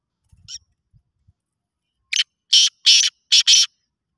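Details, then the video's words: A black francolin calling in a voice competition gives one harsh, grating phrase of five quick rasping notes, the last four louder and evenly spaced, with faint soft clicks just before. "Kala teetar ki awaz ka muqabala, black francolin voice competition"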